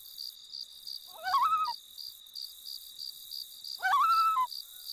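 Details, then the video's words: Loon on a Saskatchewan lake, Emma Lake, Canada, in summer, uttering two separate quavering calls, each rising and then holding before dropping, with regular cricket chirps underneath throughout. "Sounds of Summer - The Loon"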